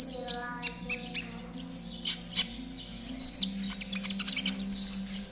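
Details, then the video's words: Konin trotol singing meant to make caged birds sing quickly: spaced sharp ticks, then a high trilled flourish and quick chirps near the end, over a low steady hum. "TERAPI KONIN TROTOL AGAR CEPAT BUNYI || MASTERAN KONIN TROTOL GACOR"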